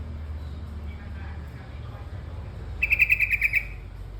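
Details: Trucukan kebo, the yellow-vented bulbul. After a stretch of low rumbling background noise, a brief series of about seven sharp, evenly spaced chirping notes ends the recording.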